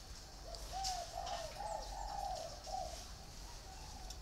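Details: Caged spotted doves, one in a round bamboo cage and one in an iron cage, cooing: a run of soft, hollow, slightly rising-and-falling coos strung closely together, with faint high hiss and scattered chirps behind.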